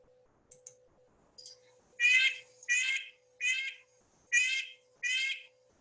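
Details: A Red-breasted Nuthatch, a small forest bird with a loud call, gives a series of nasal, tinny "yank" notes, about one every 0.7 seconds, over a steady low electrical hum. Finding: Red-breasted Nuthatch.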